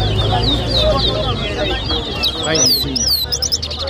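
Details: Towa towa (chestnut-bellied seed-finch) at a 2023 bird whistling competition in Lusignan, Guyana: thin whistled notes rising and falling in quick succession, a louder sweeping phrase near the end, low hum of people behind.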